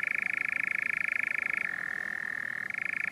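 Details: European nightjar at Kaaistoep near Tilburg, Netherlands, on 7 June 2018. A continuous, mechanical churring trill of very fast pulses drops to a lower pitch midway, then jumps back up near the end.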